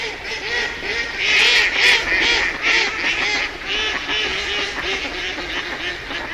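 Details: Several ducks give steady runs of hoarse, nasal quacks, fairly evenly spaced. A louder, harsher burst of calling stands out near the middle.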